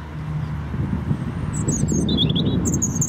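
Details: European robin singing in Hope Park, Keswick, Cumbria: thin, high, tumbling notes in quick wavering phrases, half-buried under a steady low rumble of traffic.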